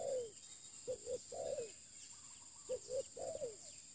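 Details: Lure spotted dove repeating deep coos, two brief notes leading into a longer falling note, phrases roughly every 1.8 seconds; a steady thin whine and faint chirps in the background.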